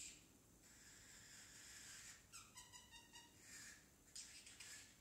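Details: Baby pet parrotlet attempting speech: a long raspy hiss, then a short buzzy, stuttered sequence of harmonic chirps, ending in quick scratchy squeaks, indoors.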